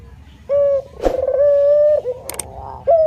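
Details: Male spotted dove cooing: a long, steady, low hooting note held for about a second and a half, then a brief rough dip and a fresh coo starting at the end, with sharp clicks and knocks in between.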